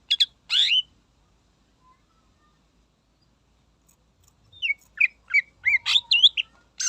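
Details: Greater green leafbird singing in a spirited manner meant to provoke rival birds: two short sharp chirps open, then silence, then a rapid run of high twisting whistled and chirped notes toward the end.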